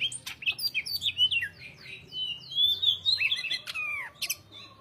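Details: Busy greater green leafbird song of repeated rising and falling whistled notes, a long sliding whistle, and a sharp falling slur near the end, with sharp clicks.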